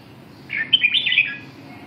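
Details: Red-whiskered bulbul giving one short warbled phrase of quick whistled notes that jump up and down for under a second, over a quiet steady background hum.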